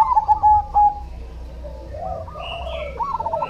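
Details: Zebra dove, cemani variety, singing: a loud burst of quick stuttered coos followed by softer distant cooing from other doves and a higher whistled note, over a low rumble.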